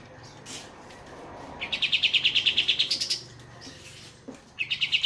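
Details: Group of kapas tembak bulbuls in full ngeroll tembak song: one long run of quick, bright repeated notes lasting over a second, a later short burst, and other birds' chirps over trickling water.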